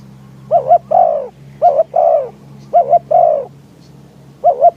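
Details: Spotted dove decoy calling to lure wild doves in strong wind. Four phrases, each a brisk double coo leading into a longer, warm, downward coo, spaced about a second apart.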